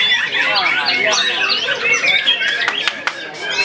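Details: White-rumped shama, a youngster, opening up its repertoire at the sight of a rival and a female: busy, loud stream of rasping chatter and twisting whistled phrases, several sharp clicking snaps toward the end.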